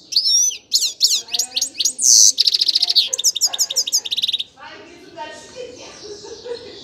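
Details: Singing grey-crowned goldfinch delivers a fast, varied string of high twitters, sweeping notes and a brief buzzy trill, then repeated clipped chirps before falling quiet, with a faint low murmur underneath.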